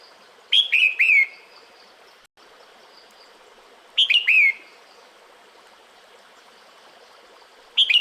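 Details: Female red-whiskered bulbul in the breeding season calling the male: three phrases of three quick, downslurred whistles, repeated roughly every three and a half seconds over faint hiss.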